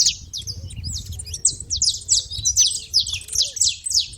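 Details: Saffron finch making noise at a feeder: a steady stream of short, high, sharp chirps and downslurred notes, densely overlapping as if from several birds, with a faint low rumble beneath.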